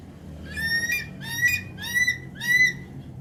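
Javan pond heron giving four nasal, squawking calls about every half second, each slightly rising, over a low background rumble.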